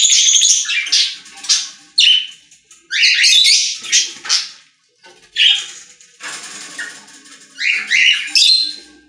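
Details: Several budgerigars singing in a pet store, with loud bursts of buzzy chirps and warbled squawks alternating with quieter chattering and short gaps.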